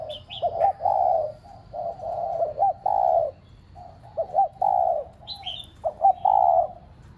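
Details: Decoy cu gáy, a spotted dove, coos to stimulate other caged doves. Low clipped notes lead into long, warm, drawn coos in repeated phrases, with a few high brief chirps from another bird.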